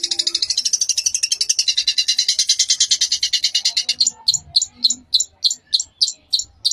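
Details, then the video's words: Long-tailed shrike singing in dense, rapid-fire style, played to tutor young shrikes: a long, fast, buzzy high trill slowing into separate sharp, clipped notes about two a second. "Cendet Gacor Tembakan Rapat Cocok Buat Masteran Trotol"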